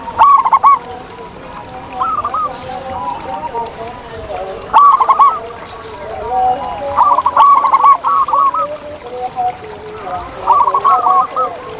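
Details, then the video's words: Several wild zebra doves call in nature with overlapping runs of quick, bubbling coos, louder phrases recurring every few seconds. Lower murmuring coos continue throughout. "Ini Dia Suara Asli Perkutut Liar di Alam!"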